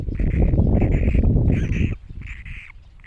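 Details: Great cormorant chicks giving short, nasal, squeaky calls in quick bursts, several in a row, over a heavy low rumble of wind or handling noise that fades after two seconds.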